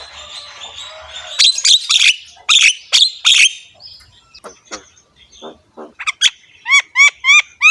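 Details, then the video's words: Javan myna, harsh-voiced and head-bobbing, in full rich song used to train other mynas: loud scratchy bursts, then thin downslurred ticks, ending in four clear repeated upswept whistles. "BURUNG JALAK KEBO GACOR SUARA KASAR, MANGGUT-MANGGUT FULL ISIAN MEWAH"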